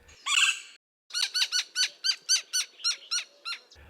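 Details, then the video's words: Gila Woodpecker in an Arizona desert backyard in spring: a brief harsh, rolling churr, then about eleven sharp squeaky notes, roughly four a second, each with a bright downward inflection. "Gila Woodpeckers give harsh, rolling “churr” calls and short, 'squeaky-toy' squeals."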